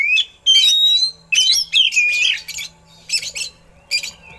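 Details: An oriental magpie-robin gives song with eagle-call imitations, meant for teaching other birds: loud bursts of harsh, buzzy notes mixed with ringing, sliding whistles, separated by brief pauses.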